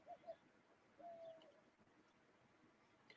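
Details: A dove heard through an open window on a hot April 20, 2022 day, in the 90s, gives two short soft hoots, then a longer, slightly falling coo, low and mellow against quiet; finding: dove.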